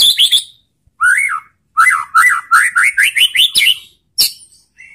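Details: A lure recording of White-rumped shama song meant to provoke other shamas to reply: short bursts of clear whistles, then a rising chain of looping whistled notes repeated about eight times, closing with a sharp high note.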